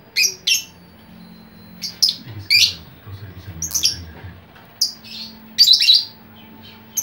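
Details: Chattering lovebird whose calls draw other lovebirds to join in: harsh squawks and sharp chirps in short bursts separated by pauses, over a faint low hum in a small room.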